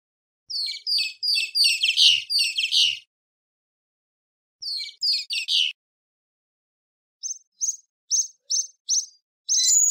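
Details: Great kiskadee: a long run of rapid, harsh, rasping notes, a shorter burst of three or four, then a series of brief, evenly spaced clipped chirps and a final sustained buzzy note.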